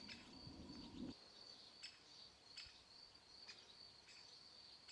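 Young great spotted woodpeckers give a steady, high, thin chattering that runs on without pause.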